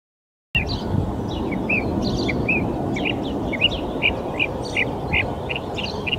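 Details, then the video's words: Northern mockingbird at a park in Folsom, California, on March 21, strings together quick, varied chirps and short whistled notes mimicking other birds' songs, about three a second, over a steady low rumble of traffic. "Mockingbird mimicking other bird songs."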